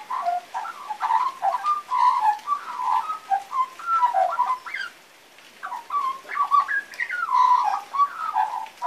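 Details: A juvenile magpie still learning to sing delivers loose, wavering warbles and short fluty slurs. The phrases run on, break off in a brief pause near the middle, then resume with rising whistled notes.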